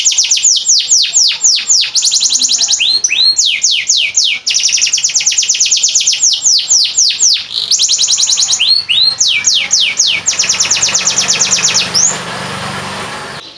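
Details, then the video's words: Domestic canary in Boyolali, Indonesia, singing a long tutor song used to train other birds: continuous high rapid trills of falling notes switching between rolls and slower swooping phrases, about four notes per second in places, ending in faint hiss. "SUARA KENARI"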